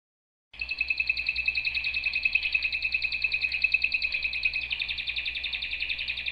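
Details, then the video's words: After half a second of silence a canary starts a sustained fast trill, dense repeated notes at a constant pitch, with a slight shift in tone near the end; faint low hum underneath. "آواز قناری"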